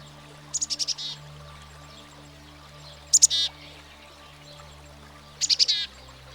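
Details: Black-capped Chickadee, a common American backyard bird: three separate bursts of calls, each a few rapid high notes running into husky buzzy notes, spaced a few seconds apart, over soft background music.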